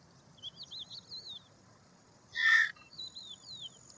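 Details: Single loud, coarse croaking burst from an Indian roller, set against a background of wavering, falling high whistles from other birds.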